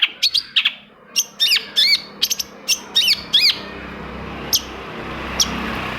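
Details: Long-tailed shrike song used as a lure to get quiet, reluctant shrikes singing; sharp high whistled notes and rapid up-and-down slurred phrases come in irregular bursts, with fainter single notes later over a low steady hum.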